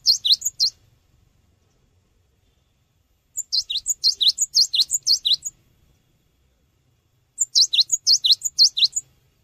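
Cinereous tit giving quick bursts of five to eight high, sharp chirped notes, each burst about a second long and repeating roughly every four seconds.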